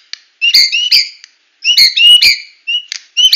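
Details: Medan-type white-rumped shama delivering tembakan song: loud, harsh, ringing bursts in short clusters separated by brief pauses, each burst stacked with bright metallic notes.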